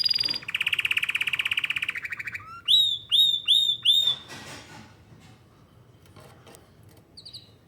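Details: Singing canary delivering a fast, even rolling trill, then four loud, rising, whistled swoops in steady succession, followed by softer scattered notes and a short high buzz near the end.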